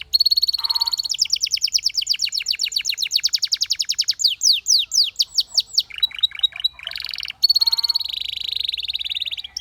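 A Belgian canary sings a fast, high run of rolling trills and quick repeated chirps, shifting from one rapid note series to the next.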